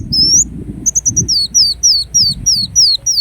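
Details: Ruby-cheeked sunbird (kolibri wulung) opening with a rising whistle and short high stutters, then settling into regular thin, down-slurred notes, over low fluttering or handling noise.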